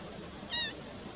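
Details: Black-winged stilt giving one short, sharp, slightly nasal call with clear overtones, lasting about a fifth of a second, over a steady low background hiss.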